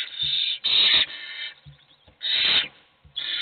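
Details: Hungry owl chicks beg for food, where only one gets fed: harsh, hissing rasps of about half a second, four bursts with short gaps and soft low ticks between them.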